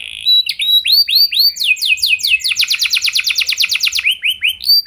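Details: Canary song meant to set off other canaries singing: a few upswept whistles build into a long, rapid, evenly pulsed trill, followed by slower looping chirps at the end.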